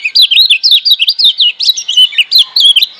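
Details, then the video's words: A Lemon-bellied White-eye from Lombok sings a fast, continuous warble of high, bright, looping notes, rising and falling about five times a second; a wild-bird song used to train and stimulate captive birds. "Masteran Kecial Kuning GEBOKAN LIAR Ampuh Bikin Kecial Malas Bunyi Jadi GACOR"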